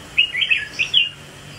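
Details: Red-whiskered bulbul swaying in display. It gives one quick, bubbling phrase of four or five clear, slurred whistled notes, then falls silent.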